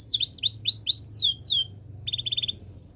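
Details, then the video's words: Canary song: a run of loud, sweeping down-slurred whistled notes, then a quick burst of short, rapid buzzy pulses near the end. "KICAUAN BURUNG KENARI BIKIN KENARI GACOR DOR ● OCEHAN BURUNG KENARI BIKIN IRI"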